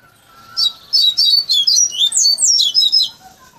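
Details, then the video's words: A coleiro raised on song tutoring, finishing with a fluted Bahia-style song, gives a fast sequence of about eight loud, sweeping high whistled syllables lasting around two and a half seconds, with a faint steady tone beneath. "COLEIRO BAIANO"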